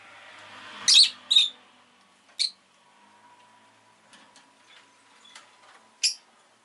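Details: Pet rosy-faced lovebird chirping indoors: a few sharp, high squeaky chirps in a short burst near the start, then scattered faint ticks and one more loud chirp, over a low hum of background noise.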